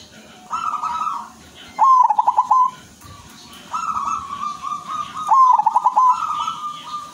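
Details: Zebra dove, a silver-coloured bird, singing in lively full voice: a sustained cooing note followed by a fast stuttering series of clipped coos, the phrase repeated twice, over a steady background hum.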